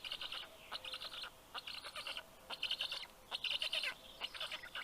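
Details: Black stork chicks on their nest in southern Estonia, Karula National Park, greeting the adult male with fish on a June 2023 morning; rapid, rough buzzy bursts repeated in uneven pulses, several overlapping.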